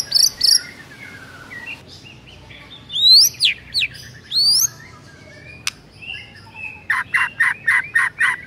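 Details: Singing white-rumped shama in the morning, likely caged: a few loud upswept whistles, sparse calls, and a closing run of rapid repeated buzzy notes.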